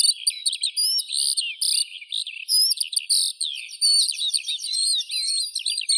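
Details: A Eurasian skylark pours out an endless, varied song of sharp chirps, looping whistles and rapid rattling trills, all high-pitched and constant.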